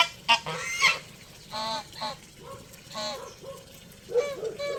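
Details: Several geese give scattered, harsh honks with gaps between them, some calls short and nasal, others longer and grating.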